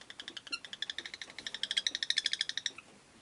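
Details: A rosy-faced lovebird (Agapornis roseicollis) chattering in a rapid, even string of short metallic chirps, roughly three per second, building gradually louder before stopping abruptly.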